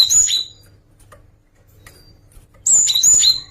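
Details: Java sparrow song variation: a burst of high, thin chirps, a long quiet gap with faint ticks, then a second run of bright slurred whistles and rapid chirping.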